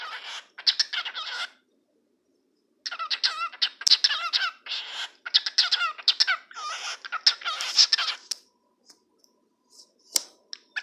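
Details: A cockatiel (Nymphicus hollandicus) talks, chattering in rapid, scratchy bursts mixed with warbled whistles that mimic speech.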